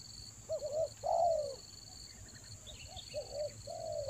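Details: Spotted dove calling as a lure for wild doves in the rainy season: quieter low coos, a two-part note and a drawn-out falling coo, with a constant shrill background hum and faint higher chirps.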